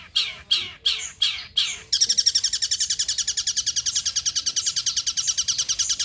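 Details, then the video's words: Long-tailed shrike lure song meant to set other shrikes singing: five loud harsh downsweeping notes, then a long fast buzzy trill of even, rapidly pulsed notes. "PANCINGAN CENDET TERBAIK, SEMUA JENIS CENDET PASTI NYAUT BUNYI DIBUATNYA"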